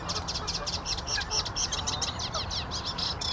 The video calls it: Reed warbler singing